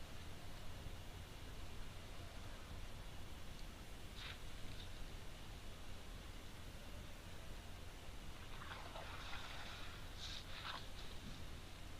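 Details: Steady hiss and low rumble like distant rain or wind, with a few faint brief rustles and no clear animal call.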